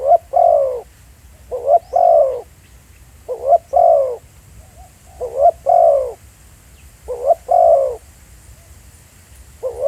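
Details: Live field recording of a spotted dove used as a decoy in Thailand: steady series of soft low double coos, a brief note then a drawn-out rolling coo, repeated about every two seconds over quiet rural background.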